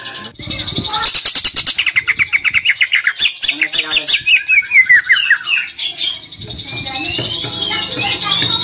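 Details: Energetic greater green leafbird song used as a lure to spur on leafbirds that are less eager to compete; fast, regular ticking notes under a tumbling run of sweet whistles, ending in a softer warbling stretch.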